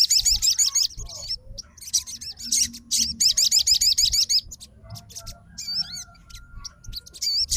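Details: Caged fighter-type sogon responds to another sogon's song, challenging a rival, with bursts of rapid, very high, wavering trilled notes repeated in quick phrases, pausing between bursts, with a faint hum in the background.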